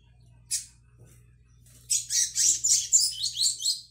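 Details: Brown-plumaged young Double-collared Seedeater practising the tui tui song style, 22/05/22: one sharp chip, then a fast run of high warbled and buzzy notes pulsing roughly twice per second, with a low electrical hum beneath.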